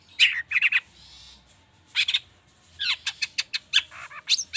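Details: Long-tailed shrike in an agitated song, rich in borrowed phrases and used to prompt other birds to sing: bursts of high chattering notes and quick sweeps, with short pauses between clusters and a faint hum below.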